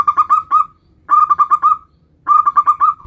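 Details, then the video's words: Zebra dove, local bird, nutut song variation meant as a lure for other zebra doves: three quick bursts of four to five clipped, throaty coos, each phrase ending in a slightly longer trailing note, separated by short silences. "Macam macam Suara NUTUT variasi perkutut lokal gacor - Ampuh untuk Pancingan semua jenis perkutut"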